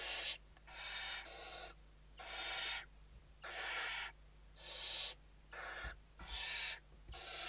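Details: Nest-box barn owls (Western barn owl) in Spain at evening feeding time, late November 2023; a dense run of about nine loud, noisy hissing screeches in quick succession, some doubled, over a constant hum.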